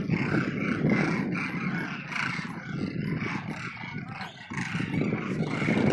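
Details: A large gathering of migratory demoiselle cranes at Khichan, Phalodi, Jodhpur, calling together in a dense, continuous roar of overlapping rolling trumpeting notes over a low rumbling background.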